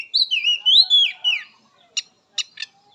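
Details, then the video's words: Wild Oriental magpie-robin singing, used as therapy to bring captive birds into song: a run of looping, slurred whistled notes, then three short sharp clicks or chips after a brief pause. "Suara Khas Kacer Alam || Terapi Kacer Bahan, Trotol dan Macet Bunyi"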